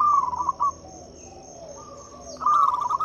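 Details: Local zebra dove used to draw song from quiet doves: a quick bubbling coo phrase, a long pause, then another fast rolling phrase, over a steady high whine.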